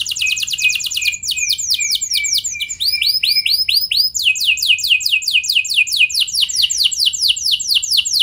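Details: Canary singing to prompt other canaries to join in: continuous rolling song of quick downward-sweeping whistled notes, shifting between several fast repeated tours, bright and high-pitched throughout.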